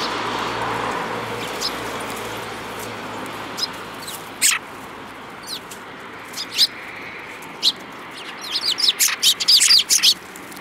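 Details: Sparrows, described as spirited, recorded in March 2018: isolated sharp chirps spaced a second or more apart over a steady background hiss, building to a dense burst of rapid chirping near the end.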